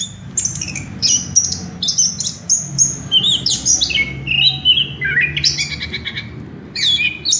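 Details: Orange-headed thrush song used as a lure to stimulate birds to sing: dense, high, varied whistles and sliding notes in quick succession, some buzzy, over a steady low background rumble.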